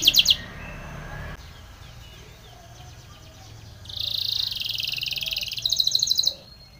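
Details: Spanish Timbrado canary song for training: a short burst of notes, a pause with low hum, then a pulsed trill lasting about two seconds, rising in loudness at its end.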